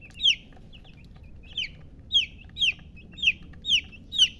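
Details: Domestic chicks peeping: thin, high, falling chirps at irregular intervals of roughly half a second, some fainter notes between, with low rumbling background noise.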